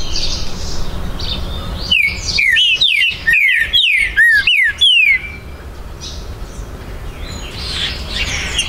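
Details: A captive green-winged saltator, recorded 19/09/2020 at a breeder's premises to stir territorial birds, sings a loud, rich phrase of about nine whistled notes slurring up and down over three seconds; faint other birds and hiss follow.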